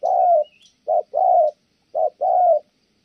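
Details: Thổ âm style cooing by a Kon Tum spotted dove: three low paired coos, each a brief note followed by a longer hoot, with a faint high squeak early on.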